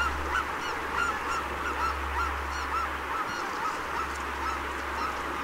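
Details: Greater white-fronted geese, a rare winter visitor, at Donggang Township on 19 December 2021: short, high two-part yelping calls at an irregular pace about every second or two, over a steady low rumble.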